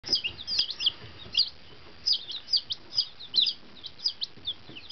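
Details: One-day-old fancy chicks, newly delivered to their henhouse after travelling half way across the country in a box, give high, thin peeps in irregular bursts, roughly one or two at a time with short gaps between them.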